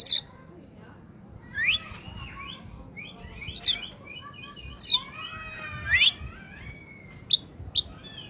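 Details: Singing oriental magpie-robin in peak form, used to attract untrained birds: varied whistles, rising slurs and trilled phrases spaced every second or so, sharp high notes between them, faint background hum.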